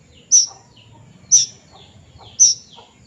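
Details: Three loud, thin, high-pitched squeals from a young plaintive cuckoo, evenly spaced about a second apart, each trailed by softer lower chirps, against a quiet background.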